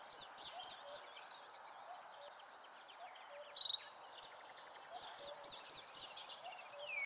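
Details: A Eurasian wren sings constantly to mark its territory, a woodchat shrike perched nearby: a loud, high, rapid song of sharp trills and ringing rattles, pausing briefly before resuming, over a faint steady background hiss.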